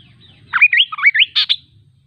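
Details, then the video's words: Kaso kaso bird singing a sweet, melodious phrase of upslurred whistled notes, then two short harsh buzzy notes at the end, with a quiet background. "Suara Burung Kaso Kaso | Ocehan Burung Kaso Kaso | Kaso Kaso Bird Sound"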